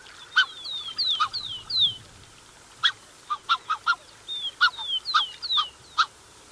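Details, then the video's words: Close-up of a Black-necked swan pair with cygnets: high slurred whistles descending in pitch alternate with short, clipped honking notes in loose, irregular bursts. "Black-Necked Swan. MCU Calls From Pair With Cygnets."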